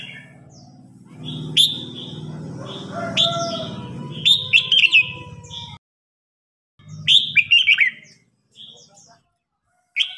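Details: Contest between caged red-whiskered bulbuls, an old bird versus a young one; loud rippling phrases break through steady low buzzing background noise, with short whistled notes between.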